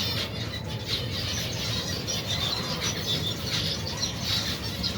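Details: Over 120 pairs of finches with their babies feeding in cold weather; softer, blended chirping chorus with occasional clearer squeaky notes and a steady low hum.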